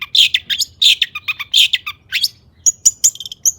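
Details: High-emotion long-tailed shrike singing to goad other shrikes: dense scratchy chatter and chirps first, followed by thin, very high whistled notes after a brief pause.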